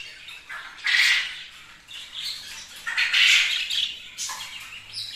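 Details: Captive budgerigars give loud, harsh, buzzy chirps in uneven bursts about every second, with scratchy warbled notes between, against a quiet indoor background.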